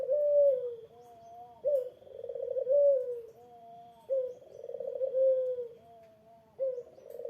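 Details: Eurasian collared dove cooing to trigger a rival's reply: three smooth rounds of soft, purring coos that fall gently in pitch, separated by short level notes, repeating at an unhurried, regular pace.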